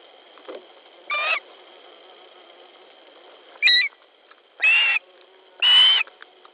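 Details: Osprey at its nest in Latvia, 10 July 2013 around 19:10, one bird trying to grab a fish from another; four loud, slightly rasping whistled cries, each under half a second, spaced about a second apart, steady hum behind.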